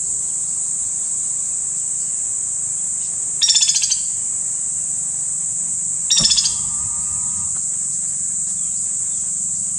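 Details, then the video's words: White-naped woodpecker calling in Kanha National Park, Madhya Pradesh, India: two separate short rattling trills of fast repeated notes a few seconds apart. A faint level whistle follows the second, under a steady high-pitched insect drone. "Bird calls 09 - White-naped Woodpecker"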